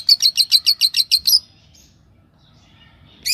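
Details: Two yellow Fischer's lovebirds in a pair: nine evenly spaced high, sharp chirps delivered quickly for about one and a half seconds, silence, then a single bright call at the end.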